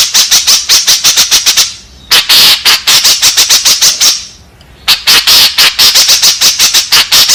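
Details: {'caption': 'Harsh lure calls of a white-breasted woodswallow, used to entice others of its kind. Three fast runs of raspy notes are separated by two short silent breaks.'}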